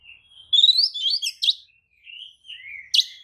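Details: White-rumped shama (kacer) lure song meant to provoke rivals; a brief burst of rising whistles and rasping notes, then a pause and a final sharp note.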